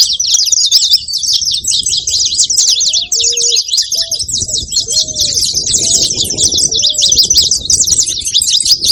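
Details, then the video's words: Saffron finch noise: an unbroken stream of bright, rapid chirps, joined after three seconds by a series of lower, drawn-out curved whistles. "Canário da terra fazendo barulho"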